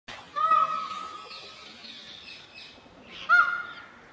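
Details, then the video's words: Indian peafowl (peacock) gives two loud, nasal, trumpeting screams about three seconds apart, each a strong held note that falls away, over quiet background hiss. "مور کی خوبصورت آواز"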